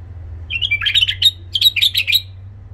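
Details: Song of a tame Iraqi white-eared bulbul with a rough voice, meant for teaching young bulbuls: two quick clusters of sharp, warbling high notes in under three seconds, with a low electrical hum behind.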